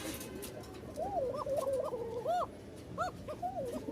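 A male Bashiraj pigeon gives a series of soft, wavering coos that rise and fall.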